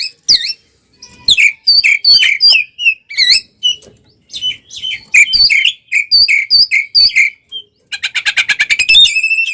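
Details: Oriental magpie-robin singing nonstop in combative mood with tail open, meant to provoke other magpie-robins; a run of crisp slurred whistles at an even pace, closing with a fast rattling trill of repeated notes.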